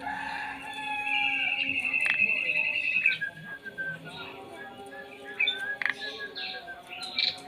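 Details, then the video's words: Starling singing outside the front of a house: a long, steady whistled note, then scattered sharp squeaks and slurred whistles at varied pitches, with a low hum and some background noise. "KICAU JALAK DEPAN RUMAH"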